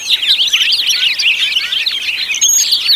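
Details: House finch song, a continuous rush of fast, jumbled warbling twitters and slurred notes packed together without pause, bright and high-pitched throughout.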